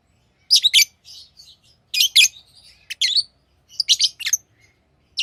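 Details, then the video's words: Lovebirds kept as tame pets chirping in shrill paired and tripled bursts, harsh and high-pitched, with softer twittering notes between the louder calls. "Love birds Sounds | lovebirds chirping sounds"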